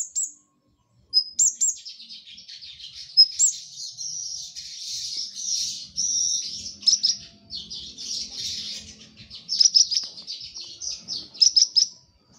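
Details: A brown-throated sunbird sings a long, continuous, very high twittering warble. It is dense and scratchy, with occasional sharper whistled notes standing out.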